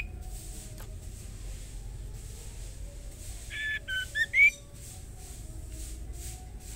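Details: Female white-rumped shama calling to the male: a brief run of four clear whistled notes near the end, stepping and then rising sharply, over a steady background hiss.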